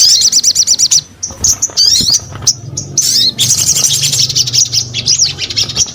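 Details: Gacor sogon song: a quick series of evenly repeated high chirps in the first second, then mixed squeaks and slurred whistles, building to a dense rattling twitter.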